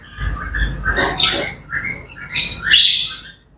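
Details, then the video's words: Grey parrots chattering in the morning, a continuous stream of varied squawks, warbles and short whistled notes at a lively, irregular pace, with soft low thumps underneath. "Grey Parrots Chattering and Bird Sounds to Wake Up to"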